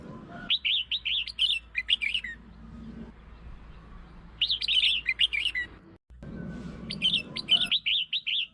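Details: Lure song of a red-whiskered bulbul, played to provoke other birds: three fast, warbled phrases of five to eight cheerful whistled notes each, separated by quiet gaps with faint low hum.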